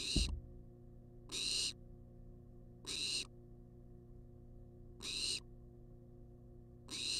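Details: Wild barn owl demanding food inside a nest box on a live camera; a sharp knock opens the recording, then five breathy screeching hisses follow at quick, fairly even intervals over a low hum.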